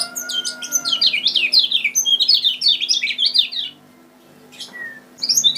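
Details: Song of a kecial kuning from Lombok, meant to lure birds for trapping: dense, lively high twitters in rapid sequence, falling silent briefly before a few sharp notes resume, backed by faint electrical hum.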